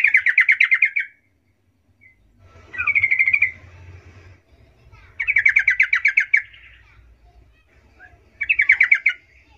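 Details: Lure song of a yellow-vented bulbul, meant to draw replies from other bulbuls: four bright, bubbly chattering phrases about two seconds apart, each a rapid string of rolling notes, with a low background hum between them.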